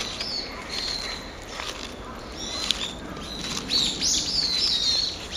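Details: Brown-eared bulbul on a 26 November morning giving its ordinary calls: after a quiet start, a burst of high, bending, squeaky notes crowds the final two seconds. Steady outdoor background hiss throughout.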